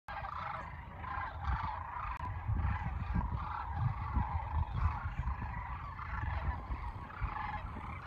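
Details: Large flock of sandhill cranes at Kearney, Nebraska, on March 28, 2022: a continuous chorus of rolling, trumpeting rattles, overlapping without pause, over a low steady rumble of wind.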